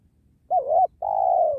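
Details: Trapping session for spotted doves by a sacred tree; a 'penguku' dove gives one close, full coo. A quavering first syllable is followed by a long, even, slightly descending hoot. Near silence around it.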